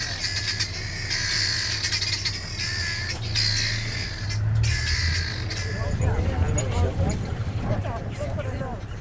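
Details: Red-billed quelea flock in a bush at Chobe National Park, Botswana, 16 April 2012, giving harsh overlapping squawking alarm chatter; birds upset, possibly guarding young from eagles. People talk over a steady engine rumble.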